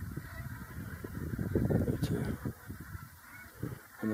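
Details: Flock of Brent geese calling, birds that migrate from Siberia and Russia; low, gruff overlapping honks rising to a dense burst midway, then thinning to scattered calls before a final louder note.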